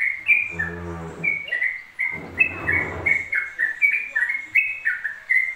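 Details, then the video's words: Continuous ropel song of a yellow-vented bulbul, quick liquid whistles rising and dipping back to back, while low muffled rumbling sounds break in twice during the first three seconds. "TRUCUK ROPEL 2 MENIT TANPA JEDA"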